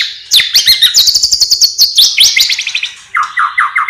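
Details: Loud white-rumped shama song with mimicked sparrow, lovebird and kapas tembak notes: a fast, even rattle of sharp high notes, then a slower series of lower, rising chirps repeated about four times.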